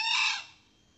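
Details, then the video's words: Tail end of a male red junglefowl crow, a lure sound for trapping and hunting junglefowl: a loud, coarse burst lasting under half a second that quickly fades, followed by quiet. "Suara pikat Ayam hutan jantan,Ampuh untuk pikat dan berburu."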